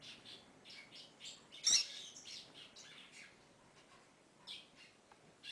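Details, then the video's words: Female double-collared seedeater calling to the male: scattered soft high chirps around one loud, harsh, sharp note early on, then more faint chips. "Piado de Femea de Coleira"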